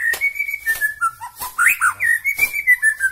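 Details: Song of a white-rumped shama from Bahorok, Medan: long steady whistles alternating with slurred rising and falling notes, delivered in a continuous phrase.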